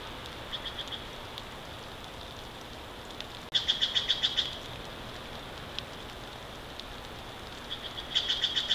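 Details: Bald eagles on a Big Bear Valley nest, live-stream camera, March 29, 2023, mid-morning. Steady hiss is broken by a sudden run of quick, high, piping chatter, and a second burst begins near the end.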